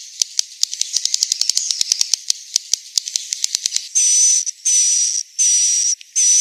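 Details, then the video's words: Swiftlet roosting call from Central Sulawesi: a run of sharp dry clicks for about four seconds, then harsh buzzy high chirps, each carrying a thin steady whistle, in bursts roughly every half second. "Suara asli, inap walet abadi 01."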